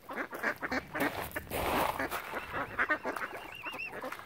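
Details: Ducks crowding around a family of swans on Lough Neagh at Oxford Island, Ireland; a dense chorus of overlapping quacking and honking calls, with a thin wavering whistle-like call near the end.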